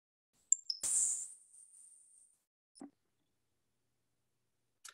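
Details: A Grasshopper Sparrow of Iowa's large grassy fields gives its insect-like song. Two thin, very high ticking notes lead into a long, dry buzz of about a second and a half, followed by a soft thump and a click.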